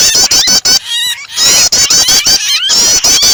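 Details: Prinia starter mix combined with a distressed bird, meant to prompt other birds to sing: loud, dense bursts of high rapid chirps with sharp clicking notes, broken by a brief pause of lower wavering notes near the middle.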